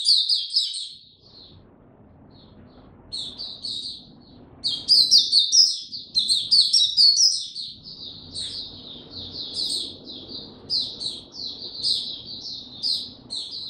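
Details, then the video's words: Caged Oriental white-eye in easygoing song: sparse high chirps give way to an intense twittering burst, then a steady flow of thin, falling notes over a low background hum. "Mata Puteh Hercules buka sing go slow n easy"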